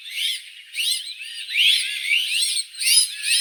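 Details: Azure-winged magpie: a rapid string of harsh, buzzy, chattering notes in bursts roughly every half second, some with a slurred, rising twist.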